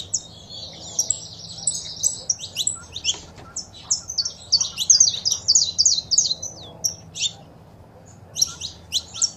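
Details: Saffron finches, female calling and male singing, to encourage a pet finch to sing: a fast trilling run of high notes, then irregular chirps spaced out toward the end.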